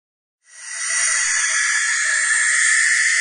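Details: Baby barn owl screaming: after half a second of silence, a harsh, breathy, hissing screech rises quickly and then holds as one unbroken, rasping noise for nearly three seconds, steady in loudness, with no other sounds.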